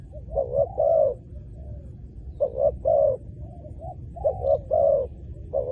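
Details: Low, soft cooing of a spotted dove at a ground decoy site for luring wild doves: clustered short notes followed by a fuller coo, two phrases separated by a quiet pause.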